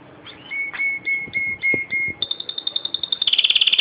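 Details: A pet canary in Proastio, Karditsa, recorded in 2012, sings a string of steady whistled notes, then rapid clicking trills that speed up and rise in pitch, about three to four per second.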